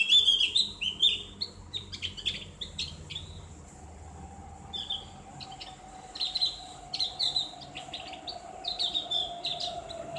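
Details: Javan grey-throated white-eye giving a ngriwik song with a clear ngeplong voice, used for training kept birds: bursts of high twittering notes separated by short pauses, with a faint steady droning tone behind.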